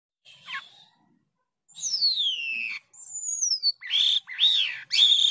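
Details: White-headed starling (jalak kapas) in energetic, varied song, recorded in Indonesia: a sweeping downward whistle, a long falling glide, then a bright descending note and three arched, ringing phrases, separated by short pauses.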